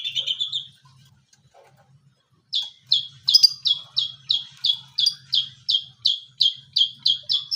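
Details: Long-tailed shrike learning mimicry of cililin and tengkek buto calls. A brief high trill, a pause, then loud, clipped chirps repeated about twice a second in a steady, insistent run. A faint low hum sits underneath.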